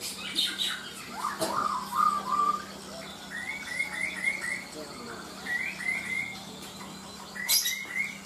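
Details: Lovebird competing in the paud class of a songbird contest in Kaltara, Indonesia, giving short, bright chirping phrases repeated in bursts, with background hum and a sharp rattle near the end.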